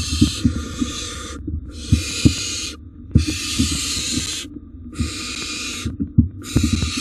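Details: At a wild barn owl nest box during a double rodent delivery, rasping drawn-out hisses come in steady bursts of one to one and a half seconds, separated by brief silences, with dull knocks and shuffling underneath.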